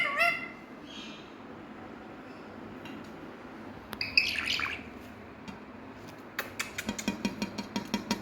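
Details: A pet green parrot gives a brief harmonic squawk, then a harsher raspy squawk midway, followed by a quick series of dry clicks and taps near the end.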